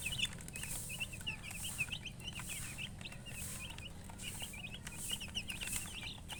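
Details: Chicken chicks chirping: clear, separate high peeps repeated several times a second, a few birds calling together, over faint pulsing hiss and hum.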